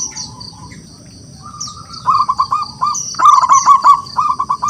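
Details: Wild local zebra dove in full song, calling rivals to sing back: two bursts of fast, low, rolling coo notes in a stuttering rhythm, the second louder. Constant high-pitched insect buzzing fills the background.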